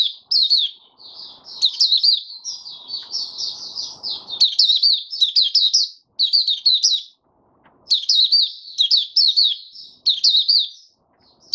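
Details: A male white-eye in open song on 8 January 2022 delivers fast, high twittering phrases of slurred chirps, separated by short silent gaps, with a soft rustle in the background early on.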